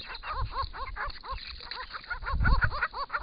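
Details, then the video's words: Wild Grey-crowned Babblers calling to each other at a pond in regional Victoria, Australia, recorded by camera trap; loud, rhythmic series of arched, nasal notes repeated several times a second, with low thumping and splashing. "Australian native Grey-crowned Babblers calling and bathing"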